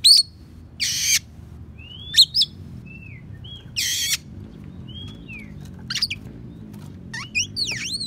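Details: Oriental magpie-robin song filled with sparrow and prinia imitations, used as a master recording for training songbirds: short high whistled slurs and sweeps alternate with loud harsh buzzy bursts, spaced by brief pauses, over a low background hum.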